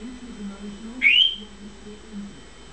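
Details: Pet African grey parrot indoors, calling out as its owner leaves the room for the bathroom; one loud, clear whistle sweeps upward and then levels off, lasting about half a second, over a faint low murmur in a small room.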